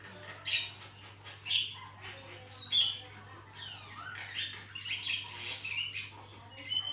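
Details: Javan myna in vigorous 'gacor' singing, used as training audio to get other mynas singing: harsh broadband squawks alternating with bright short whistles, a descending swept note midway, bursts roughly every second over a steady low hum.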